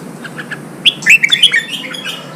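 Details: Newly captured red-whiskered bulbul singing during training for bird singing contests. It gives a single loud, rich phrase of quick downslurred whistles, preceded by soft faint chips, over light background hiss.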